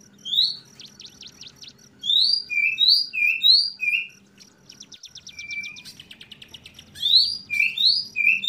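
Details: A spotted-plumage Oriental magpie-robin sings openly: a rich, varied string of clear whistles, upslurred and downslurred, broken by quick buzzy trills, over a faint low hum.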